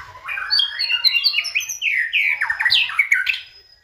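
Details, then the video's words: White-rumped shama giving a continuous, rich song for use as a provoking lure, packed with rapid warbled whistles, chattering notes and harsh squawky phrases that tumble without pause. "pancingan MURAI BATU agar GACOR dan LANGSUNG EMOSI bongkar isian"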